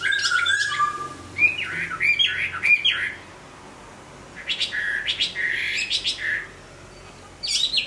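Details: A hwamei sings while moulting, giving bursts of varied whistles and harsh chattering notes separated by quiet gaps of about one to two seconds.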